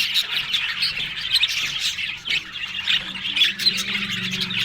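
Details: Budgies eating green food in the morning in Larkana, Sindh, giving busy overlapping squawks and sharp chirps in quick bursts, a lively unbroken chatter with a soft low hum behind.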